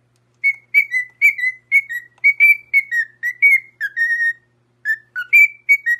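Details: Parrot singing a sweet tune; steady series of clean whistled notes, some rising and some falling, about two per second, pausing briefly before a final phrase, quiet background.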